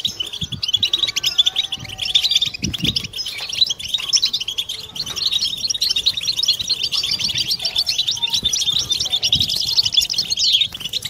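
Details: Collective twittering of European goldfinches for encouraging mating song in males and females: a dense, steady wash of high tinkling trills and chirps lasting the whole stretch, occasional low thuds behind.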